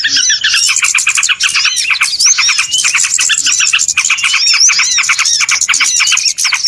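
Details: Noisy small birds used as a lure for trapping, a dense, loud flock chorus of rapid high chirps and twittering notes, overlapping trills and short whistled slurs running without pause throughout.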